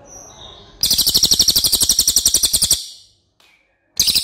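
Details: Cililin master song used for training other birds: a loud, fast train of buzzy, high chattering notes, about four per second, breaking off briefly before resuming.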